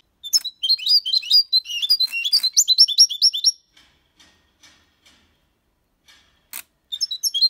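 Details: European goldfinch, six months old, singing a clean song in the Malaga copy style. A quick, liquid twitter of high, sliding notes lasts about three seconds, with soft ticks and a sharp click before the singing resumes.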